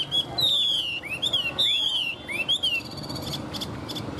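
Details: Hwamei singing in a contest, clear loud whistled phrases sliding down and rising in pitch, repeated several times, then brief buzzy notes, with faint background noise.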